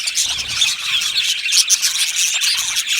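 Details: Budgerigar colony in an aviary, a thick wall of bright, piping chirps and scratchy squeaks from numerous birds overlapping without a break.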